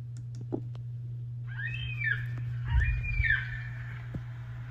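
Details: Yellow-tailed black cockatoos, likely a flock flying over Canberra, give two long, drawn-out, haunting wailing calls, each rising then falling, about two seconds apart, over a steady low hum with a few clicks.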